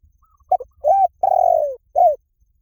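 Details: Spotted dove lure call, said to draw birds in fast in any forest: brief clipped notes, then a mid-pitched level coo, a long drawn-out descending coo, and a final falling coo. The background is quiet.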